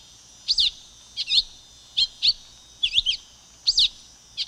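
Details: High, twisting chirp pairs of a silver-beaked tanager, six quick slurred phrases repeating at under one-second intervals, with light hiss underneath.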